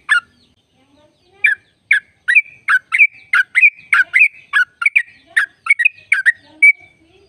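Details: Sooty-headed bulbul sustaining a long, vigorous "ropel" trill used to coax caged birds of its kind into song: a steady stream of loud, liquid chirps about twice a second, linked by a high whistled thread, with faint low notes underneath.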